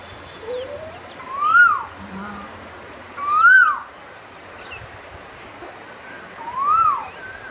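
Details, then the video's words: Asian koel song, three loud rising whistled notes, each peaking and sliding down, repeated about every two and a half seconds over a quiet background. "குயிலின் அமுத கானம் - 3 | Singing Asian Koel - 3"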